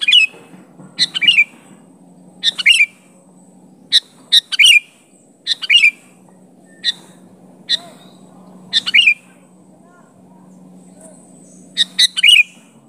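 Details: Sooty-headed bulbul calling to face down an opponent, its original voice without fill-ins; scattered bright phrases of quick chirps and bent, falling whistles, separated by pauses of one to two seconds, over a soft low hum.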